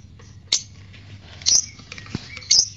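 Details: Lovebird sounds played as a lure to get another lovebird to sing: three sharp, very high chirps about one second apart, with fainter chirps between them over a low background hum.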